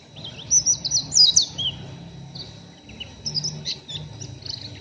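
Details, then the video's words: Still-untrained oriental white-eye giving rough ngeriwik chattering: an opening tumble of high, squeaky warbled notes, a pause, then sparser short chirps, with a soft low hum throughout. "PLECI NGERIWIK KASAR BURUNG MASIH BAHAN"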